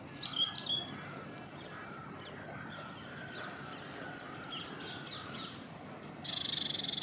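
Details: A song thrush sings at the leaf yard on a cold, dull, dark morning: a few short clear notes, a couple of high whistles, then a dense scratchy burst near the end, over a low background hum.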